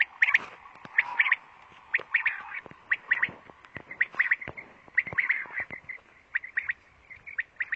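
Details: Quail singing in Pakistan, captured by mobile phone: bright, clipped chirps in doublets and triplets about once a second, with scattered clicks and knocks underneath.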